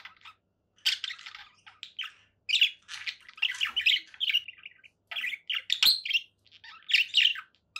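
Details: Conure parakeet calls in short clusters of gritty squawks mixed with thinner chirps and tweets, each cluster lasting under a second and broken by quiet pauses, plus one faint low thump.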